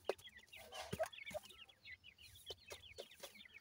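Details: Grey francolin chicks, seven days old, feeding: a steady chorus of soft, high, short peeps in irregular runs, mixed with taps and knocks.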